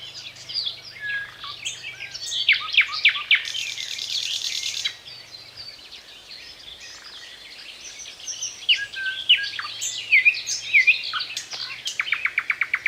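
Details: Thrush nightingale delivering varied strophes separated by pauses: clicks and slurred whistles, a harsh buzzy burst, more whistled notes, and finally a rapid series of loud dry clicks.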